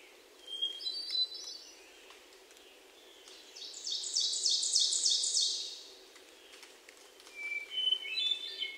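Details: Hermit thrush phrases in Sudbury, Massachusetts on June 29, 2023, made with a Sony PCM D50 and lavalier mics: fluty whistled phrases at start and end, separated by a louder rapid trill of repeated slurred notes from another bird.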